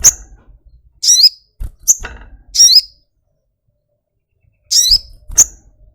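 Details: Sogok ontong (little spiderhunter) repeats shrill, high, chattering chirps with falling tails in bursts about a second apart. Low knocking thumps come between the calls, and a silent pause falls midway.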